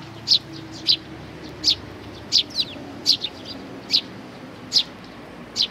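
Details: Sparrow chicks and parents on 11 May 2019 give sharp high chirps, single notes spaced roughly every half second to second, clear over faint background hiss.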